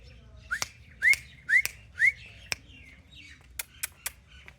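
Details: Playful caged parrot in Pakistan: four bright, upward-sweeping whistles about half a second apart, mixed with sharp clicks or taps, then several isolated clicks in a quiet room.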